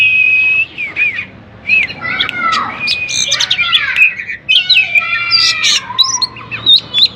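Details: Loud song of a white-rumped shama, meant to coax quiet shamas into singing: clear held whistles, falling slurred notes and rapid rattling phrases follow one another without pause.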